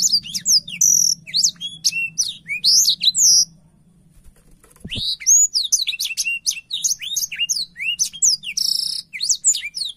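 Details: Black-throated canary in full, energetic song, opening its wings as it sings: dense high twittering of sharp slurred whistles and buzzy notes, broken by a silent gap near the middle, then another long varied burst; faint low hum underneath.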